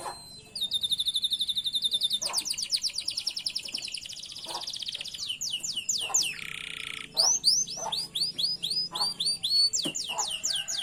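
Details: Canary singing in a lure recording meant to teach canaries to sing: fast buzzy rattling trill, then repeated downward-sweeping whistles, a short harsh buzz, and more looping whistled notes.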